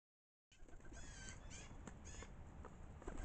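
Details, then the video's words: Many pigeons calling at once in a crowded flock, a dense mass of harsh squawking calls with broad rumbling noise and flutter throughout, starting after a short silence. "Pigeon pandemonium"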